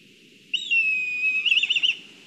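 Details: Black kites at the nest in Kurzeme, Latvia, during a food delivery, on a live camera: a sustained high whistle that breaks into a rapid quavering trill near the end, followed by a brief clipped note.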